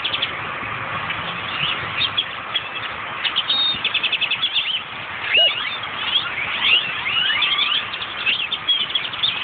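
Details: A grackle flock in Austin fills the air with loud, overlapping creaky chirps, sharp whistles and rapid rattling chatter, with no pause in the din.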